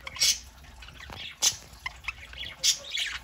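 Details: Pet budgerigars, a small indoor flock foraging on a Saturday morning, among them a nearly four-month-old young female; loud sharp chirps recur about every second, with busy scratchy warbling between them.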